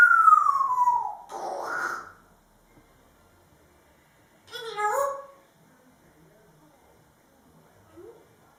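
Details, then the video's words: A male grey parrot kept as a pet, singing while dancing: a bright whistle gliding steadily downward, then a rasping squawk, and later a short wavering, talk-like phrase, followed by near silence indoors. "Funny bird dancing and singing - Crazy, talking parrot"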